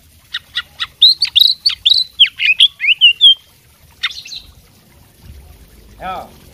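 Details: Energetic song from a fighting oriental magpie-robin tutored with a learned repertoire: quick sharp chips speed into looping whistled notes, then a short harsh burst. A soft low sound follows near the end.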